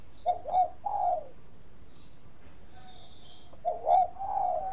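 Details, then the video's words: Bangkok zebra dove used as a lure to make other doves sing: two short, quieter phrases of soft, mellow coos, each a quick note or two followed by a longer note, over faint background hiss. "PANCINGAN PERKUTUT BANGKOK GACOR SUARA MAS"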